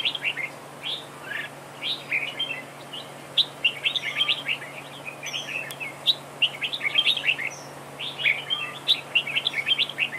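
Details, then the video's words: A decoy red-whiskered bulbul singing during a trap duel pours out dense, overlapping bursts of sharp chirps and warbled whistles with hardly a pause, over a constant low electrical-sounding hum and faint background hiss. "Bẫy đấu chào mào cực đẹp, hót cực hay"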